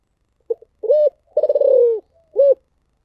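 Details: Thổ sấm style cooing of a spotted dove: a clipped introductory note, an even hollow coo, then a drawn-out vibrating coo falling gently, ending with a single short coo.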